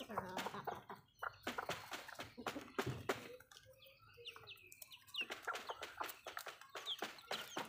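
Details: Backyard hens at feed, making brief, low clucks and a few thin, higher notes scattered among rapid pecking taps and rustling, with a quieter stretch in the middle.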